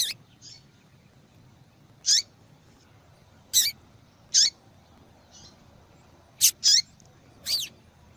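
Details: Female yellow-bellied seedeater, calling to encourage a male to sing: bright high chirps and clicks, often in quick pairs, with downslurred buzzy tails and faint softer notes between, repeated at irregular intervals.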